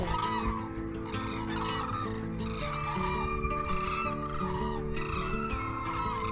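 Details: At dawn in Suncheon Bay wetland, South Korea, a flock of Hooded Cranes, waking from their mudflat roost and heading to farmland to feed, gives overlapping rising and falling bugling calls, several at once, over steady background music.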